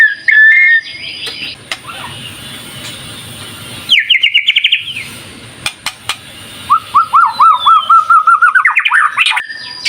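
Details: White-rumped shama singing a lure song meant to make other birds answer. It gives short whistles, then a quick run of trilled notes, and ends with a long accelerating series of looping whistled notes rising toward the end.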